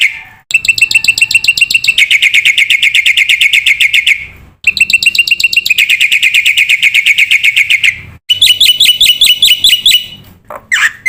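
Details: Black-winged myna masteran song meant to prompt young cage mynas: long bursts of rapid, rattling harmonic notes in three phrases, the last higher and choppier, ending in a rising squeal.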